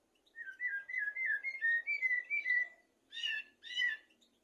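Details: Common blackbird song played to tutor goldfinches and canaries: a run of short fluty whistled notes at steady mid pitch, slightly rising, then two brief richer chirping bursts after a pause.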